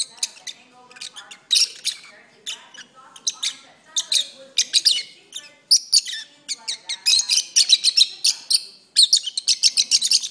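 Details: Captive lovebirds singing at length indoors, perched on an owner's arm: dense, rapid high chirping and squeaky twitters in fast runs, overlapping notes building into busy chatter, soft lower murmurs underneath.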